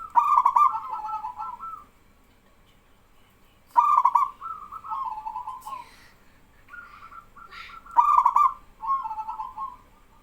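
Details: Male zebra dove of a local strain, singing vigorously and setting other doves calling back. Three phrases, each opening with quick stuttering pulses and then a warbling, purring coo. They come about every four seconds, with softer answering notes between.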